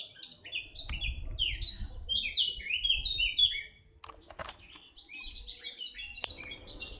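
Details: Red-backed shrike recorded in 2025 at Artomaña near Orduña, Bizkaia, Spain: a loud series of sharp downward-sliding chirps, several per second, for about three seconds, then softer scattered chirps and clicks with faint low hum.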